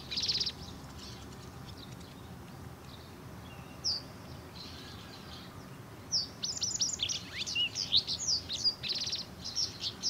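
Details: Japanese wagtail, a resident bird breeding locally, feeding recently fledged young. There are thin, high chirps, then a quiet stretch, then a dense flurry of sharp, high, sweeping notes and rapid chip bursts toward the end, with faint background noise.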